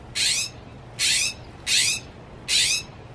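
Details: A Northern mockingbird perched on a tree branch on 25 October 2020 gives four harsh, raspy, buzzy notes, each under half a second, spaced about a second apart over faint background hiss.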